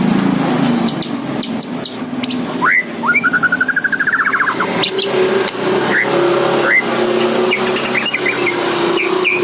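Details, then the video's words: White-rumped shama in full song with spaced, ringing whistled sweeps and a long, fast rattling trill in the middle, ending with scattered bright upslurs, all set against a low continuous rumble. "Burung Murai Batu Gacor"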